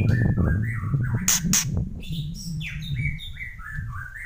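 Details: White-rumped shama singing in the kretekan style: clear whistled phrases, some rising and some falling, with a few sharp crackling bursts near the middle, over a steady low hum.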